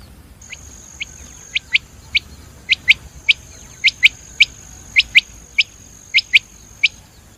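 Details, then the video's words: Common quail, locally called batir, giving short clipped high notes in pairs and threes, spaced unevenly, over a faint steady high whine and quiet background. "Batir sound . common Quail sound"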